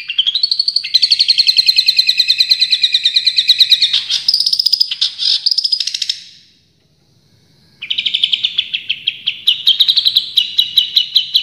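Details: Full tembakan song from a champion long-tailed shrike: a long, fast, buzzy trill of high repeated notes and a short harsh flourish, then about a second of silence before another steady rapid trill starts up.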